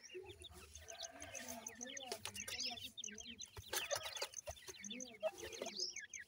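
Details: Busy peeping of francolin (teetar) chicks, quick falling whistles overlapping one another, alongside a faint steady high tone, knocks and low rumble.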